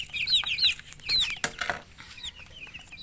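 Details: Several chicks give shrill, sliding peeps early on, then a thump and scraping noises follow while fainter cheeps continue in the background.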